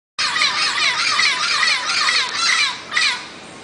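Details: Turquoise-fronted amazon giving a continuous stream of harsh, raspy squawks and chattering notes, dense and overlapping for over three seconds, with one louder burst near the end.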